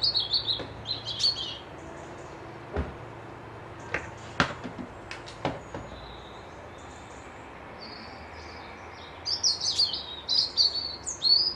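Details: Small birds at a loch near Dundee, Scotland, give high chirping phrases at the start and a denser burst of twitters at the close. Sharp knocking clicks sound through the quieter middle stretch.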